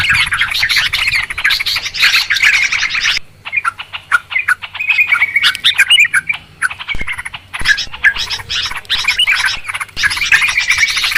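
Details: Yellow-vented Bulbul (trucukan) lure calls for trapping birds: loud chattering chorus, a thinner stretch of separate chirps and short whistles midway, then dense chatter returns.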